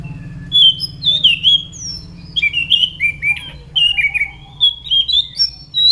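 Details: Lively song of a Scaly thrush (anis macan): a continuous varied sequence of fluty whistled phrases, each note sliding or dipping, delivered roughly every half second, with a low hum beneath.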